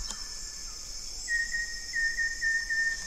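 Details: Banded yellow robin, also called olive-yellow robin (Gennaeodryas placens): a steady high whistled note with a slight wavering, repeated in short runs, over a constant high insect hiss.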